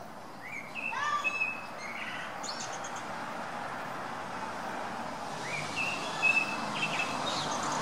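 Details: December 17 recording of a blackbird with an ever-changing song: rich whistled phrases early, a pause, then another run of fluty notes and a sharp high note, over rumbling background noise.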